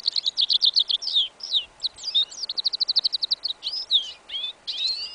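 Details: Winter field recording, 11 January 2015, of a goldfinch × yellow isabella canary hybrid: quick rhythmic high notes, then varied slurred whistles and a steady run of rapid chirps, closing with rising and falling whistled notes.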